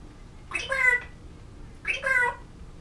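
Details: Pet African grey parrot practicing words and a sung tune, November 2011: two rich, speech-like harmonic phrases about a second apart, each roughly half a second long, against faint indoor hum.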